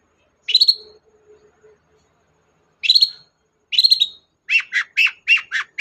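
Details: Long-tailed shrike sounding lively, meant to draw song from a shrike that stays silent: three buzzy, rising chattered phrases, then a quick run of five sharp repeated chirps.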